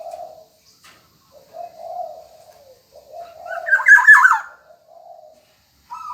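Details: Black-naped oriole calling actively: low, mellow whistled phrases repeated several times, broken by a loud, rasping, nasal burst in the middle, with another call beginning at the close.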